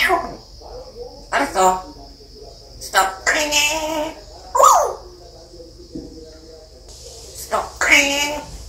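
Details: African grey parrot mimicking sounds and echoing words, giving loud harmonic speech-like phrases, a sharp bending whistle and bark-like yelps spaced a few seconds apart indoors.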